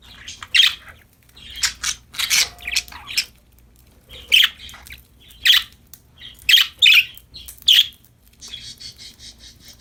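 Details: Playful, happy parakeets give a run of short, sharp chirps and squeaky notes, some clustered in quick pairs, spaced irregularly through the clip over a faint low hum.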